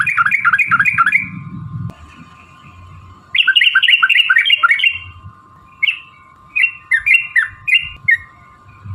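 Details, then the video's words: Sooty-headed bulbul in long rolling 'ropel' song used to provoke other bulbuls into singing: bubbly, warbled phrases of quick rising and falling notes in bursts with pauses, over a steady hum and low rumbling noise. "trucukan gacor TARUNG ROPEL PANJANG pancingan trucukan agar bunyi jadikan burung trucuk gacor EMOSI"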